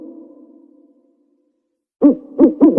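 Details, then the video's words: Owl at night giving a long, low hoot that fades away, then after a pause three short, stronger hoots in quick succession. "A Owl In Night"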